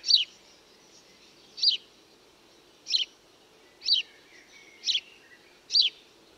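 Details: Repeated chirping of a house sparrow, six sharp high chirps spaced roughly one to one and a half seconds apart, with faint background noise and a soft lower note in between.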